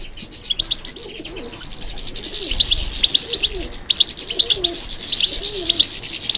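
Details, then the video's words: Goldfinch responding to stimulation with a lively, high-pitched twittering song of clipped chirps and liquid trills, with a soft low cooing faintly underneath. "How to encourage the goldfinch to respond to stimulation"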